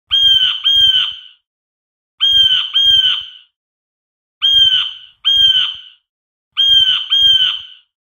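A blue jay gives harsh, nasal double calls, jay-jay, with a pair about every two seconds against a quiet background.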